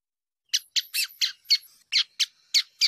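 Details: A female Double-collared Seedeater gives nine short, harsh, high chip notes in quick succession, about four each second, with nothing else audible; the calls are used to stimulate males to sing.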